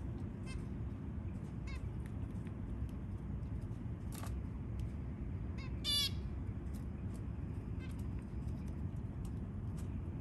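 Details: Newborn white zebra finch babies being fed, giving scattered short raspy begging calls with a dense cluster of rapid, buzzy notes near the middle, against constant low background rumble.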